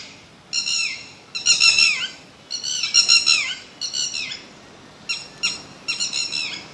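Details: Raspy, nasal squawks from a bird come in a series of short bursts, the notes sliding downward and rich in overtones, with quiet gaps of under a second between them.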